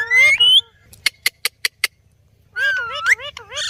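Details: Talking rose-ringed parakeet giving harsh, bending speech-like phrases, then a run of five quick clicks, then more nasal wavering chatter.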